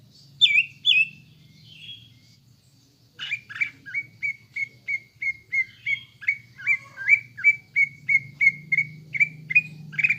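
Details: Greater green leafbird lure song, meant to rouse caged birds to emotion and a fighter's mentality. Two loud slurred whistles open, then after a pause a fast, steady run of short sharp whistled notes, about three per second, over a low hum.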